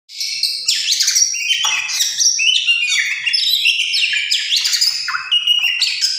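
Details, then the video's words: Tame oriental magpie-robin singing a rich, continuous run of varied whistles, sweeping slurs and chattering notes, high-pitched and fast-changing without pause over six seconds. "Kicauwan burung Kacer jinak"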